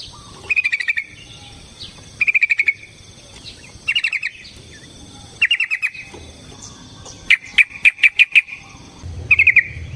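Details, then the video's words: A yellow-vented bulbul sings a rapid fighting song meant to provoke another bird into singing. Quick chattering bursts of six or seven notes come roughly every one and a half seconds, ending with a sharper, higher run. "Suara Burung TRUCUKAN gacor TARUNG ROPEL PANJANG pancingan trucukan agar JADI trucuk gacor EMOSI"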